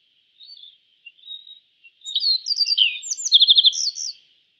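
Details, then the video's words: Yellow bunting, a songbird of East Asia, gives a few soft short notes. A loud bright phrase of rising and falling slurs follows, ending in a rapid trill of repeated notes. "Suara Burung YELLOW BUNTING - YELLOW BUNTING Bird Sound"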